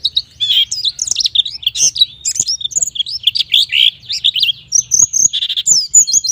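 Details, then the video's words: Continuous gacor nembak song of a white-eye, meant to make untrained white-eyes sing: busy, high-pitched warbling with tumbling chirps and trills, near-constant for six seconds, ending in a thinner twitter. "suara pleci gacor nembak Ampuh bikin pleci bahan jadi gacor"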